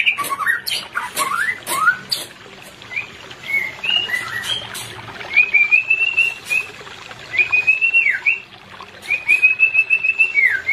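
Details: White-rumped shama song played to a pair not in breeding condition: rising whistled notes early, then long steady whistles, each ending in a downward slur, repeated about every two seconds, with clicks.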